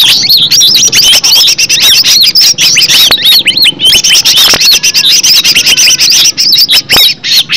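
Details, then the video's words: Green leafbird singing continuously in a natural recording meant to prompt caged leafbirds to answer: dense, high, lively whistles and arched slurred notes mixed with dry chips, crowded together with hardly a break. "Cucak ijo suara alam suara asli,pancingan cucak ijo bakalan LANGSUNG BUNYI,NYAUT dan GACOR"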